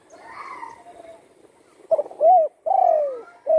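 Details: Recovered spotted dove, shot and wing-broken in the wild, now kept at home and in song. Quiet murmuring is followed by a stuttered start, a domed coo and a long falling coo, with the next phrase beginning at the end.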